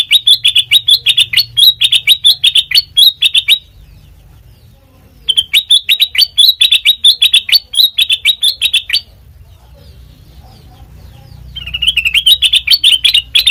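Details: Song of a sooty-headed bulbul, played to lure and train other birds: three bursts of rapid, sharp chirping notes, each several seconds long, separated by near-silent gaps.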